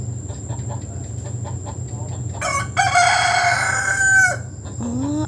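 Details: Rooster on a roof top lets out a single long, rasping crow lasting about two seconds, with a faint voice-like note just after and low rumbling background.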